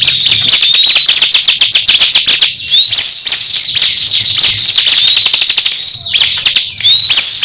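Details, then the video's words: Crescent-chested babbler, kept as a cage bird, in a heated song duel with another bird: dense, rapid, high-pitched chattering bursts with sharp rising whistled notes, continuous and very loud throughout. "Duel sengit cikris vs cisem saling adu gaya"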